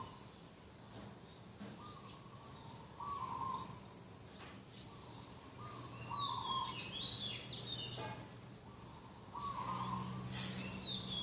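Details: A dove cooing at the edge of a garden on a morning of 2 October 2021, repeating steady mid-pitched rolling coos about every two seconds amid other small birds chirping higher up, with low rural background noise.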